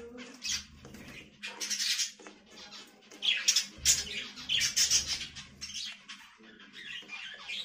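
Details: Budgerigar parrot warbling rapidly in dense, high, buzzy chirps and twitters that run almost continuously, rising in intensity toward the middle before trailing off.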